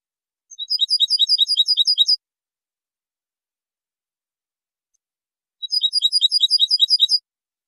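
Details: European goldfinch song recorded for training birds: two rapid high trills, each of about a dozen evenly repeated chipping notes lasting around a second and a half, separated by several seconds of silence.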